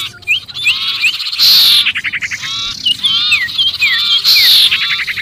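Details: Sirpu bird giving a noisy distress call, as if trapped, used as a lure for other birds: loud raspy buzzing bursts mixed with sharp descending whistled notes, with brief pauses between bursts.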